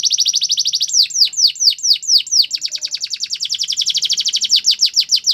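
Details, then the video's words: Canary delivering a rapid rolling trill, then a string of loud descending whistled notes about twice a second, followed by a long fast chattering trill of sweeping notes. "The BEST Canary Sounds!! Canary Training"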